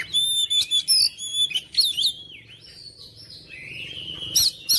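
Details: Oriental magpie-robin song used to wake up reluctant kacer: clear ringing high whistles and chattered bursts, followed by a long, drawn-out sliding warble that dips and rises.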